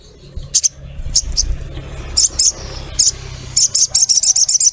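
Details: Female ruby-throated myzornis calling a male with piercing high chirps, first spaced in pairs, then quickening into a rapid run of evenly spaced notes at the end, over a low background rumble.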